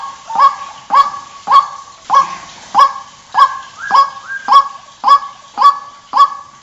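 White-breasted waterhen giving a monotonous series of loud, hoarse 'kwak' notes, each with a short upward hook, repeated almost twice a second without pause.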